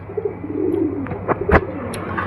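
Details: Old-bloodline Bengali high flyer pigeon cooing in a soft, low, rolling burble, with sharp clicks and knocks sounding over the coo.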